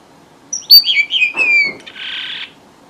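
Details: Red avadavat song played as a lure for bird trapping: a quick series of high, thin whistles sliding steadily downward, ending in a sustained buzzy rasp lasting about half a second.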